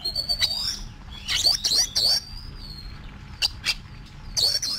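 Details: Oriental magpie-robin, a caged bird schooled for singing contests, mixing long clear whistles with scratchy bursts and short twittering runs, broken by brief pauses, above a low steady hum.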